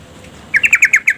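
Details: Female yellow-vented bulbul calling the male to make him sing, used as a lure for males reluctant to sing; a quick run of six harsh, chattering notes packed into about half a second over a quiet background.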